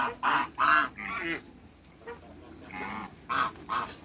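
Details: A pair of African geese in a backyard in Greece, kept among other waterbirds: loud nasal honks in quick bursts, two strong blasts then a softer series, with quieter honks trailing at the end.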